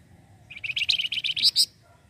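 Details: Flamboyan bird in a lure recording, delivering one fast run of about twelve high, sharp notes that climb in pitch toward the end.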